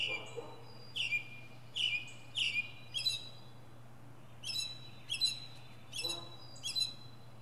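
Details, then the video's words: Mockingbird performing from a pine treetop, working through varied sounds: sharp high chips and rising notes delivered in pairs and triplets with short gaps, then a second burst of similar repeated phrases; faint low hum in the background. "Northern Mockingbird goes thru his greatest hits!"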